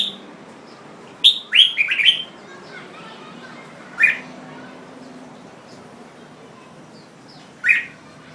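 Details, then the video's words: A bulbul sings bright, chirpy notes: a quick burst of four phrases early on, then single sharp calls a few seconds apart over a low background hum. "Jambul Bird Singing"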